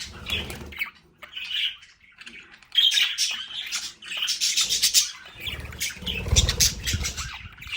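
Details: Pet budgerigars (Australian parakeets) kept at home in a play area, heard as busy high chirps and squawky warbling chatter with irregular bursts, interspersed with low thumping and handling noises.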